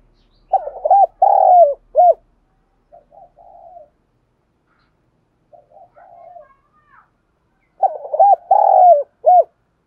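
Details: Caged spotted dove used as a lure bird, in the 'đồng thổ' voice style, for stimulating and training newly caught birds for fighting. Two loud bursts of rhythmic hollow coos, each ending in a short coo, separated by softer, lower murmuring notes.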